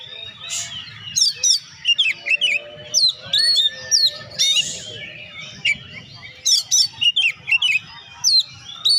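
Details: Oriental magpie-robin in full, vigorous song, used to stimulate lazy birds to sing: loud whistled notes, sweeping slurs and sharp chirps in rapid bursts, with a steady faint hum underneath.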